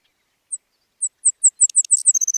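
Savannah Sparrow song: thin, very high chips that speed up over two seconds, ending in a sizzling, buzzy trill. No other sounds.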